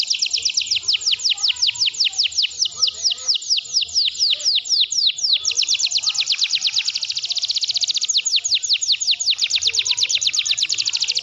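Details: Canary singing nonstop at full volume in a training recording: long runs of rapid, high, downward-slurred notes strung into rolling trills, with the tempo and tone shifting between phrases and no pauses.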